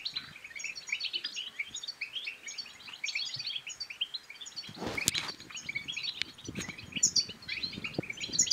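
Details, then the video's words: European goldfinch song in bitbita style, meant to spur other goldfinches to sing and mate: dense high twittering and tinkling chirps throughout, with a brief broadband noise burst midway and low rumbling. "بتبتات الحسون بتبتة تنطق اي حسون كان صامت سيغرد"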